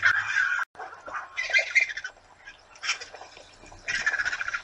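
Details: Vultures feeding in a large gathering at Torre de Tamúrcia's twice-weekly feeding site at breakfast time, giving short, rough squawks and hoarse hissing bursts that overlap and break off, with brief quieter pauses between.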